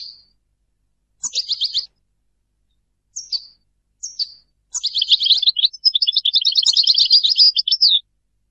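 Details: Goldfinch giving several short separate twittering calls and slurred single notes, then breaking into a sustained three-second run of rapid jingling, trilled song.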